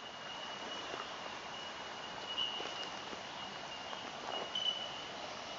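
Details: Bell miners (bellbirds) in the Connondale Ranges forest, Sunshine Coast Hinterland, give high, pure tinkling notes like tiny crystal bells, with brighter pings over a steady ringing chorus and soft hissing background.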